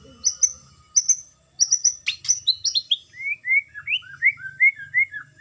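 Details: White-rumped shama on a bird farm, exercised in an aviary to improve stamina, sings high thin paired whistles, then a descending run of slurred notes and a rhythmic series of short rising whistles.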